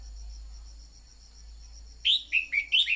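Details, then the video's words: Red-whiskered bulbul song used as a decoy to stimulate birds to sing: after a pause, a quick run of clear chirped and slurred notes, set against a constant high buzzing hum. "Luyện giọng chào mào mồi-kích bổi mau hót"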